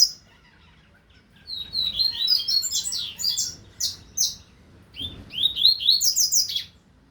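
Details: Double-collared seedeater song from the 2025 season: after a brief opening note and a pause, a long, rapid string of sharp, high warbled and buzzy notes, a short break, then another energetic burst of twittering phrases.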